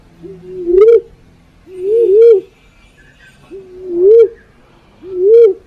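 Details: Black-naped fruit dove lure call: four low, mellow hoots, each rising then wavering, spaced about every one and a half seconds, with a faint thin whine in the background.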